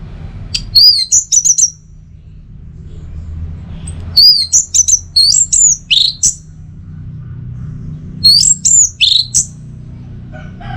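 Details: Orange-headed thrush, locally anis merah, singing teler song in three bursts of fast, high, upslurred and downslurred whistles, each lasting about a second, spaced by quiet gaps over low background hum.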